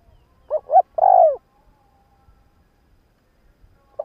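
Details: Spotted dove used as a decoy, cooing in the morning to provoke wild doves: one soft low phrase of two short hoots and a longer falling coo, then quiet with faint rustles.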